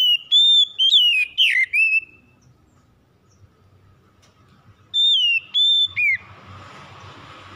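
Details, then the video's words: Oriental magpie-robin song played as a lure to get a lazy bird singing: two bursts of loud, clear whistled notes, several per burst with sweeping slurs, separated by a long quiet stretch, faint noise at the end. "PANCINGAN SANGAT AMPUH MEMULIHKAN KACER MALAS BUNYI CEPAT GACOR"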